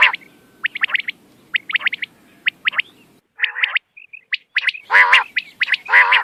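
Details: Quail sound used for night hunting, 6 November 2025: quick bursts of sharp, high chirps in clusters of three or four, about once a second, ending in harsher, rasping squawks.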